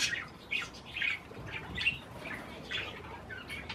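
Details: Pet parakeets eating cherry tomatoes give a few scattered short chirps and squawky notes, spaced apart with quiet gaps and faint room background.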